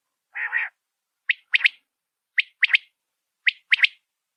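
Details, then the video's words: Rain quail giving sharp, metallic notes in clipped groups of three, repeated about once a second, after an opening harsher burst. "بارش والے بٹیرے کی اواز"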